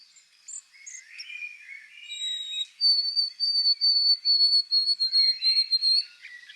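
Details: A vagrant White-throated Sparrow singing near Lewes, Sussex, in spring gives pure, high whistles: a few shorter opening notes, then a long steady tone broken into about a dozen quick, even-pitched beats.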